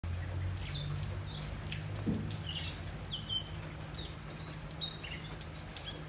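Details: Oriental magpie-robin singing in the rainy season in Chiang Mai: short, clear, high whistled phrases, some rising and some falling, given every second or so over steady rain patter and a low rumble.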